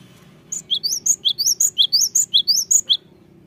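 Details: Cinereous tit song used as a lure to provoke lazy birds into singing: rapid high-pitched repeated three-note phrases, each a rising whistle then sharp higher notes, about two phrases per second, with a low background hum.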